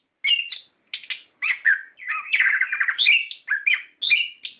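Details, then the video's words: Orange-headed thrush singing as a lure to trigger singing in captive birds, called ngerol. Varied chirps and whistles run into a dense, rattling warble in the middle, then return to clear phrases. "Pancingan Suara Burung Anis Kembang Gacor Ngeplong Ngerol"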